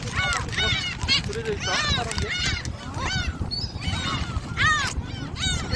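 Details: Gulls at Jebudo, South Korea, being fed, giving repeated harsh, down-slurred yelping calls from many birds at once, overlapping and chaotic, with people talking and steady background noise.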